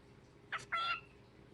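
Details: A male pet cockatiel, showing off his vocal talents near an unimpressed cat, gives two quick, harsh, harmonic squawks, the second held slightly longer.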